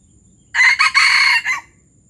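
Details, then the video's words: Loud gerabas crow from a junglefowl of Palembang: a choppy opening pair of notes, a broad rasping held section, then a brief final hiccup. The whole crow lasts just over a second in near silence. "Ayam hutan palembang gerabas gerabas"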